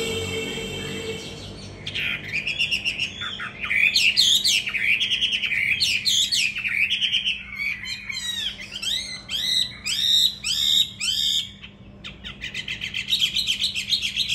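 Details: Loud, richly varied song from a trained fighting Hwamei caged in Hà Nội, Vietnam: tumbling whistled phrases, buzzy slurs and rapid trills, broken by a short pause before a final burst of quick notes.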